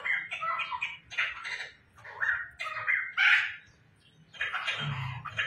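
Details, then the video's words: Household laughingthrush, tame and singing actively, gives separate bursts of mixed warbled and harsh notes, roughly one phrase per second, with a silent gap near four seconds before a final loud flourish. "poksai gacor bikin ramai rumah"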